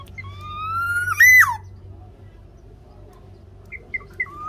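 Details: Black-naped oriole from Java, singing actively, its song played to lure lazy captive orioles into singing: a long fluty whistle rising slowly over a second, then a loud looping swoop up and down, followed by a few short chirps.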